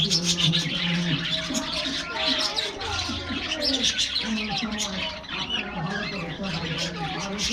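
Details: Happy budgerigars in an aviary during a morning diet treat: dense, scratchy high chirps and warbles chatter continuously, with a steady low cooing hum underneath.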